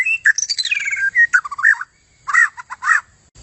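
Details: White-rumped shama song for training contest birds: a long descending whistled phrase with warbled notes, a short pause, then a few rich burry notes.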